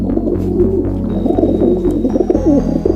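Low, soft dove cooing in rolling, throaty phrases over a steady musical drone with a low hum beneath.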